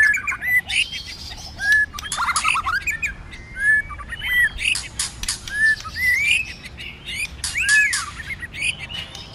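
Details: White-rumped shama singing its fighting song in many voices in the cold season: irregular bursts of slurred whistles and chattering notes separated by short pauses, with frequent dry clicks.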